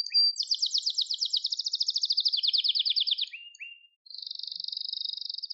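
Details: Gloster canary song: a dense fast trill of repeated syllables descending slightly in pitch, two short low notes, a brief gap, then a steady buzzy roll.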